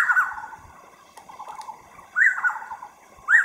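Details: A Taiwan scimitar-babbler gives short, mellow, fluty notes that rise then drop, in three bursts about a second apart, with quieter chattering between.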